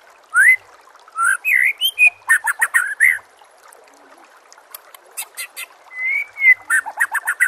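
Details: Song of the white-rumped shama (murai batu), used to train captive songbirds: slurred whistles, bursts of harsh chattering, and a long rising-falling whistle, with water trickling softly behind.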